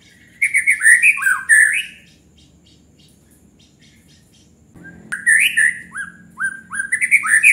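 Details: Actively singing white-rumped shama, song used to rile up other birds: two bursts of looping whistled phrases separated by a few seconds of near-silence, a thump, then clearer falling-and-rising whistles.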